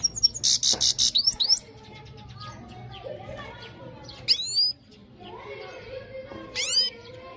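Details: European goldfinch in full song: opens with a rapid, bright run of high pulsed notes, followed by scattered sharp upward-sweeping twitters and lower, softer slurred notes over a quiet background.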